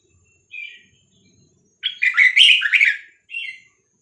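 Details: Caged Red-whiskered bulbul, Vietnamese type, song played to teach young birds and excite them; a soft whistle, then a loud warbled phrase of fluty up-and-down notes, ending with another short whistle.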